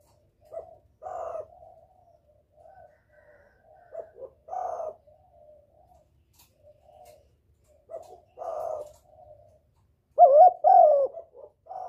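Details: Spotted dove calling as a lure to attract a male, with quieter scattered coos and mellow phrases through the recording, building to louder, clearer coos near the end.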